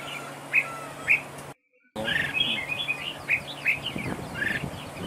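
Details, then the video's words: Red-whiskered bulbul decoy in a trap duel, two bright whistled notes, a short break, then denser warbled phrases and sharp whistles, with some low rumbling noise in the background. "Bẫy đấu chào mào cực đẹp, hót cực hay"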